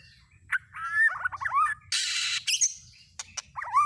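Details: White-rumped shama lure song for provoking other shamas to sing: a rich run of varied whistled notes, slurred and warbling, broken by a short harsh burst and sharp clicks near the middle, ending in a rising whistle.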